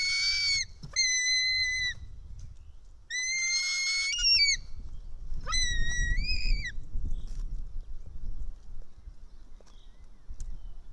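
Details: Screaming eaglet of the white-tailed eagle in Estonia, fed fish by an adult in early afternoon, 4 July 2018: four long, shrill whistles, the last ending in a wavering upward twist, followed by quiet rustling and low rumble.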